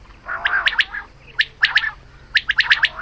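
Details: Female quail calling in the morning, a hunting recording: a brief raspy burst, then sharp, high clicking pips in pairs and a final rapid run of five.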